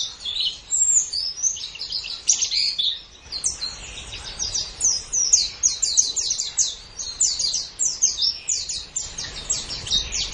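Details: Master recording of white-eye song for training competition birds: a fast, high-pitched warble, with runs of steep descending chirps repeated in quick series, the pace and loudness pulsing throughout.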